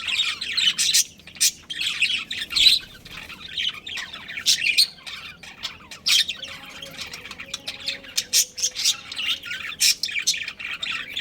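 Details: Budgerigar breeding pair chattering nonstop: sharp high chirps, squawks and busy warbling notes tumble over each other in quick bursts, with a brief whistled tone and low background hum.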